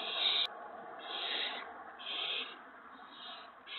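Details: Owl at a nest on the evening of April 19, 2017, as the parent owls each bring food to the owlets; harsh, hissing rasps about half a second long, a few spaced through the recording over steady background hiss.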